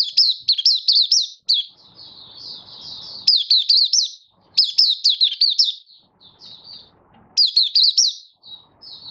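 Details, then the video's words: Caged Malaysian Oriental white-eye in minor moult, recorded 24 August 2023, giving opening song while still building its song form: bursts of rapid, high, twisting chirps in quick runs, separated by softer, quieter warbled notes and faint low rustling. "Malaysian Mata Puteh Buka Sing"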